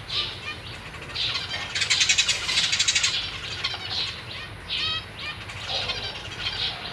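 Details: Captive zebra finches, with newborn and juvenile young alongside their feeding parents, on 1 May 2023. A rapid stuttering run of high buzzy notes builds, then scattered single harmonic chirps follow over faint hum.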